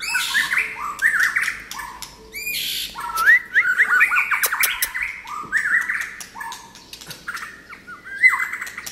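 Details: White-rumped shama singing a rich, varied song of loud fluted whistles, slurred phrases and sharp clicking notes, changing constantly with brief pauses between phrases.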